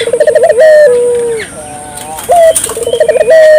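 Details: Ring-necked dove, used as a lure to stimulate local doves to call: a rolling, pulsed trill that ends in a long, level coo, then a softer descending note. Thin chirps from other birds sit faintly behind.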